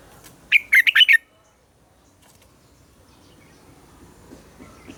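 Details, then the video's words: Morning double-note song of a red-whiskered bulbul, used to stimulate captive bulbuls. A single rapid, chirpy phrase of about five notes near the start is followed by near-silence. "Luyện giọng cho chào mào hót sáng - ép chào mào hót âm kép già rừng hay tuyệt!"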